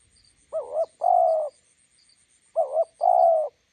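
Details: Spotted dove calling beside a roadside, a decoy bird meeting a wild bird: low cooing phrases, each a short wavering coo followed by a longer drawn-out coo, repeated twice; faint high chirps in the background.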